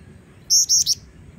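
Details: Female Black-winged Flycatcher-shrike used as a training lure, giving a short burst of three high clear whistles, the last one shortest and falling, after a quiet start, with faint low background hum.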